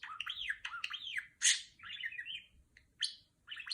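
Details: Pet female budgerigar mimicking R2-D2 from Star Wars: looping whistled arcs that rise and fall, a loud harsh burst, then scratchy warbling and brief chirped beeps with short gaps.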